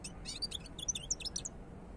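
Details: Fast, liquid twittering from a European goldfinch, a quick run of high chirps and trills packed into two seconds over faint low hum.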